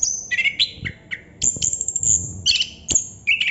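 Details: Chestnut-capped thrush's 'ngerol' song: bright high whistled notes and short warbled phrases following one another with barely a pause.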